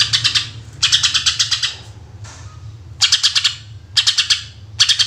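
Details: Greater green leafbird, 'gacor tembakan' lure song: five quick bursts of loud, rapid, pulsed notes, a faint hiss in one gap, and a steady low hum beneath.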